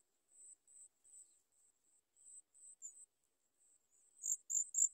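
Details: Sooty chat chicks begging while waiting a long time for their mother to bring food: thin, very high-pitched notes repeated about four times a second, growing louder and sharper near the end, with no other sounds.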